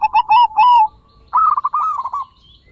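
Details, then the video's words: Perkutut, the zebra dove, in gacor song used as a lure for other doves: three drawn-out warbling coos, a pause, then a quicker rolling series of bubbly notes fading away. "Pancingan Perkutut Gacorrr dorrr- Solusi Macet Bunyi Variasi suara besar, bekur, kristal"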